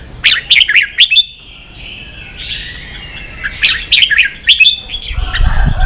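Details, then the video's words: Red-whiskered bulbul in fired-up ché song, used to train young birds: a burst of sharp chirps, a soft warbling stretch, then another chirp burst, with a low rumble at the end. "luyện chào mào ché.kích chào nào hót ché căng lửa"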